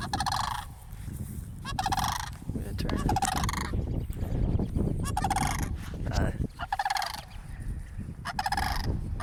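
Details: Near a church, cranes approached by a person keep up a series of short, harsh, pulsed rattles, roughly one every second or two, partly masked by heavy low-pitched noise.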